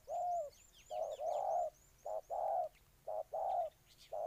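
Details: Ninh Thuận spotted dove, Vietnam, with loud, full coos: long notes broken by short clipped ones. A series of high, thin descending chirps from a small bird rings in the background.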